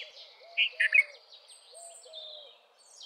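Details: Red-vented bulbul giving a quick phrase of three loud, bubbly notes near the start, over a backdrop of high thin chirps from other birds and low, repeated arched whistles.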